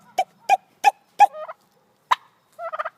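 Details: White female turkey making noises because she loves attention: four sharp clucks about a third of a second apart, then a short warbling trill, one lone cluck and a closing bubbly trill.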